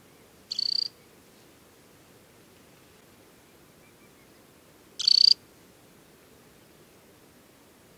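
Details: Adult Temminck's stint in summer plumage, wearing leg bands, at Tinnhølen lake on Hardangervidda mountain plateau, Norway, in early July: two short, high, dry rattling trills about four seconds apart, a third just starting, over quiet background.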